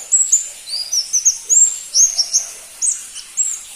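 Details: Crimson-breasted flowerpecker (pentis pelangi), a species seldom kept by bird hobbyists, giving a rapid run of very high, thin, sharp chips and short upslurred notes, about three per second, fairly irregular.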